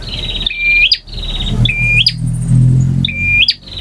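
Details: Male bar-winged prinia delivering full variation song: an opening buzzy trill, then three level whistles each ending in an upward snap, while a low engine-like drone runs underneath.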